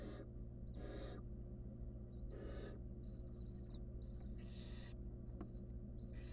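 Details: Wild barn owl nestling in a nest box with a stolen rodent, heard more faintly: about six rough, hissing bursts, some starting with a brief squeaky edge, over a constant low hum.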